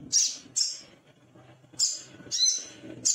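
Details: Male little spiderhunter, agitated and seeking a rival, giving sharp, high, piercing chips in spaced pairs, with soft low rumbling noise in between.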